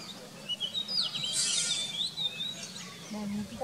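An Oriental magpie-robin sings a varied run of high, sweeping whistles and slurred notes, with a brief rushing burst midway and some faint background noise.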